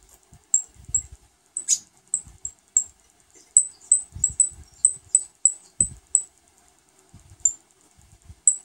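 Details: New saffron finch chicks being fed: a steady run of tiny, high-pitched peeps, roughly two per second, with light rustling and tapping underneath.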